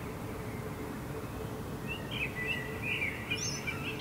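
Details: Common blackbird singing at night under a setting full moon above Helsinki rooftops, Finland, July 2016: after two seconds of low city hum, a mellow warbled phrase rises with thin high twittering notes at its end.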